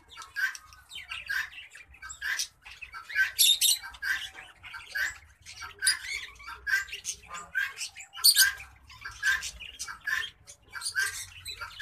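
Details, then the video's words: Green singing finch crossed with black-throated canary, a hybrid cage bird, singing a lively run of short chirped and trilled phrases, bright notes repeated roughly once a second with brief pauses, low hum beneath. "Green Singing Finch x Black-throated Canary (mozambik x blacktroath)"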